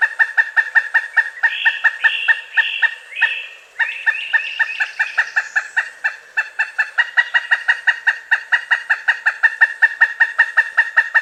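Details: Long, rapid stream of kuk calls from a pileated woodpecker in its late-winter to early-spring mating season, joined for a few seconds by a higher, harsher series of notes.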